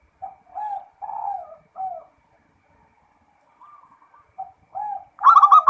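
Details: Zebra dove giving full ngerot song: short clipped coos in a broken series, a brief pause with faint rapid notes, then louder coos and a harsh, loud burst at the end.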